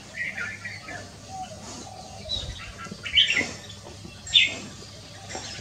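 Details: Red-whiskered bulbul singing on a Wednesday afternoon, 6 December 2023: two short, bright whistled notes about a second apart, set against a low background hum and faint murmuring.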